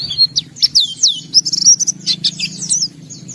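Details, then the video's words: Singing white-eye, a kept bird in full song with open beak, pouring out varied material: fast high chirps and sweeping whistled slurs, rising and falling notes run together in a dense, bright warble. "Suara Burung Pleci Gacor Buka Paruh Bongkar Isian"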